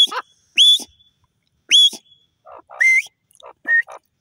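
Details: Grey francolin calling with loud rising whistles, the first notes high and the later ones lower and shorter, spaced irregularly and mixed with softer clucking sounds between them.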